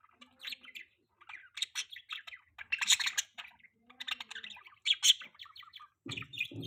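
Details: Pet budgerigar chirping indoors: a busy run of scratchy, warbling chatter and short squeaky notes in uneven bursts, with a low rustling noise near the end.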